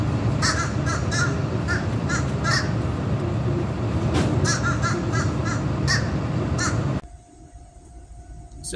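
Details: Fish crows (Corvus ossifragus) calling from trees: short, nasal, kazoo-like 'uh-uh' caws in quick clusters over a steady low rumble, then a quiet stretch near the end.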